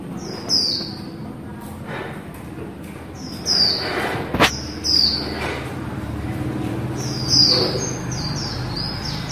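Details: Female white-eye singing in the líu style: a few high, thin, descending whistled phrases spaced a few seconds apart, with one sharp click midway and quiet background hiss.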